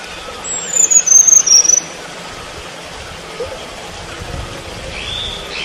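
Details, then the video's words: Wild selendang biru bird calling: three or four sharp, high-pitched whistles in quick succession, each dropping slightly in pitch, then a constant hiss of forest noise. "Suara burung selendang biru di alam liar"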